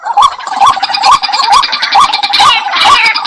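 White-breasted waterhen giving harsh, croaking notes repeated about twice a second in a steady, insistent run, with some background chatter.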